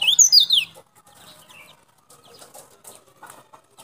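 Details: Sulawesi white-eye with a white breast, from Baubau, Buton, used for luring: an opening flurry of very high, rapid slurred twitters, followed by quiet scattered clicks.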